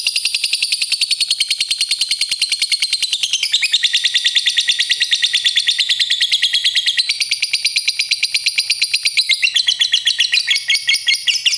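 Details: Lovebird giving a long, continuous, shrill rapid trill, high and buzzy, with small pitch changes along its length and a slightly rougher ending.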